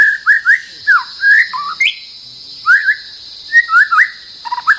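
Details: White-rumped shama defending its territory against a rival sings rich fluty whistles in quick clusters, rising and falling phrases separated by short pauses, with a constant high background hum.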